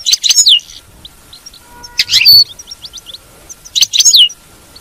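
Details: Twittering of a European goldfinch, played so a caged goldfinch keeps singing: three bright phrases roughly two seconds apart, each a quick jumble of high chirps closing with a falling whistled note, faint pips between.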